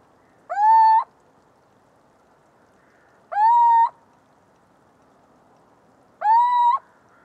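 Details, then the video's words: Three clear, rising mewing hoots from a little owl (Athene noctua), each about half a second long and spaced nearly three seconds apart over a quiet background. "Canto do mocho-galego (Athene noctua)"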